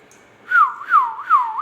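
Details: Indian ringneck parakeet, described as talking, giving three clear whistled notes. Each note slides down and then wavers in a looping pattern at mid pitch, with short gaps between them, in a quiet indoor room.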